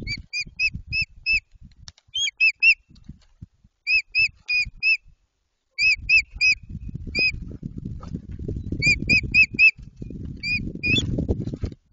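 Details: White-tailed eagles starting to build a nest at Jedwabno, Poland, at the beginning of the season; sharp yelping notes in quick bursts of four or five, repeated several times, with rustling and wind noise below.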